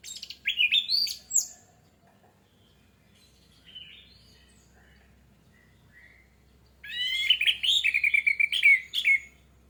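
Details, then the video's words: Orange-headed thrush singing as a lure to trigger song: a short burst of varied whistles, a quiet stretch with scattered thin notes, then a lively, fast run of high, sweet phrases. "AMPUH UNTUK PANCINGAN ANIS MERAH MEMICU CEPAT BUNYI DAN GACOR!"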